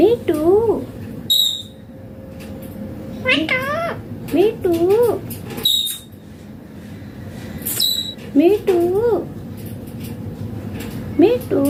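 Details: Indian green ringneck parrot talking clearly, repeating a short two-part speech-like phrase with wavy, up-and-down pitch roughly every two seconds, interspersed with thin high whistled squeaks, indoors with low hum.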